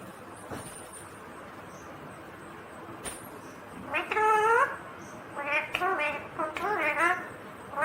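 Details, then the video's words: After a quiet start with a couple of clicks, a green Indian ringneck parakeet talks in a string of rising and arched speech-like syllables with strong harmonics. "Natural Sound of Talking Ringneck green parrot"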